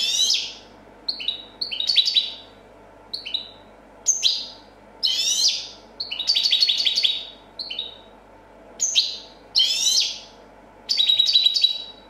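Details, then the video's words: Copia song of a prize-winning European goldfinch, delivered in short separate bursts of high, twittering and buzzy notes every second or so, with quiet pauses between phrases. "Chardonneret chant copia champion 2014"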